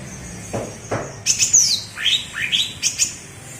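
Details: Cucak ijo from Alas Purwo, Banyuwangi, in its bebeci song style: after two soft clicks, a sharp descending whistle followed by several rising slurred notes and brief high chips.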